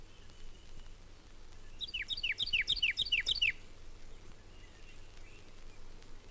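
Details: Red-bellied Woodpecker, the most common woodpecker at Mountain Lake Sanctuary, Lake Wales, Florida, from a 1970 record: a quick run of about eight sharp, downslurred notes, roughly five per second, over soft hiss.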